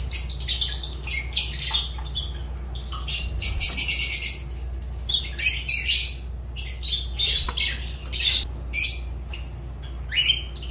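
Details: Pet Fischer's lovebirds chattering continuously in dense, shrill, buzzy high bursts with rapid chirps, over a constant low background hum.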